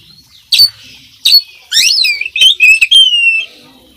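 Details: Lively oriental magpie-robin singing a tutor-track song packed with fill-in phrases: two sharp high chips, then a run of bright whistled slurs falling and rising, ending in a long level whistle.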